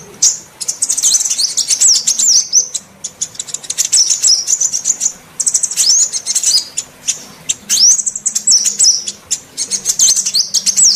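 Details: Female sunbird call used to lure males: dense, continuous high-pitched twittering and chipping, with sweeping rising whistles, broken by brief pauses over eleven seconds.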